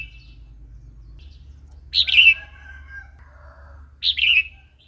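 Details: Wild-style song (phleng pa) of a red-whiskered bulbul, used for training young and wild-caught birds: two lively warbled phrases about two seconds apart over a steady low background hum.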